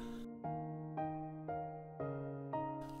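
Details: Steady keyboard notes sound about every half second, with no animal voice at all.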